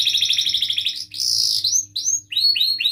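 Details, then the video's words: Canary song used to prompt young canaries learning to sing and to get silent ones singing: a fast buzzy trill of repeated high notes, then a harsh burst and a series of rising, swooping whistled notes, repeated several times. "kenari gacor panjang Cuit Cuit EMOSI, Pancingan Kenari Paud Belajar Bunyi, terapi AMPUH Kenari MACET"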